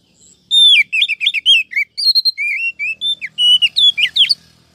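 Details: Female Oriental magpie-robin luring males in a trapping recording: a busy four-second stream of rapid chirps, short slurs and bright whistled notes.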